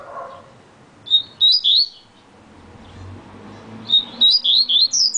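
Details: Yellow-bellied seedeater (Sporophila nigricollis, coleiro-baiano) giving a very fast song: two bursts of quick, sweet, slurred high notes that dip and rise, separated by a pause, over a low hum.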